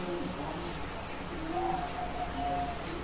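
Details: Young Bangkok-type zebra dove, a chick raised as a future contest champion in Kebumen, Central Java, Indonesia. Soft, low cooing: a brief purred note, then a short series of clipped mellow tones ending in a longer level coo over a steady background hum.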